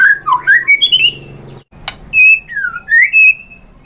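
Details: Lure song of a white-rumped shama meant to make rival shamas reply: rich rising and falling whistles, a sharp click after a brief silence, then clear slurred phrases.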